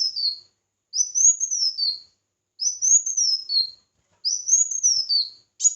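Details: Competitive song of a red-whiskered bulbul: bright whistled phrases repeated about every 1.6 seconds, each rising, bubbling across the top and sliding down at the end, with a fresh phrase starting as the recording ends.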